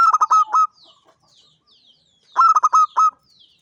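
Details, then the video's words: Champion local perkutut, the zebra dove, singing actively in ngancing style: two phrases of rapid, staccato coos ending on longer notes, with faint chirps and soft background cooing between them. "SUARA BURUNG PERKUTUT JUARA GACOR NGANCING"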